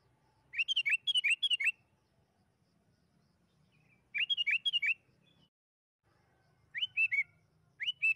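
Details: Repeated song bursts from a sooty-headed bulbul, played as a lure for quick singing: long bubbly runs of chirping whistles, then shorter three-note phrases with rising starts, over a low background hum.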